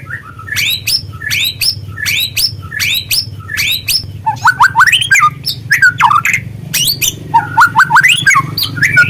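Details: Speckled juvenile white-rumped shama (murai trotol) in a lure recording to stimulate singing: a short rising phrase repeated five times evenly, followed by tumbling bursts of rapid whistled notes.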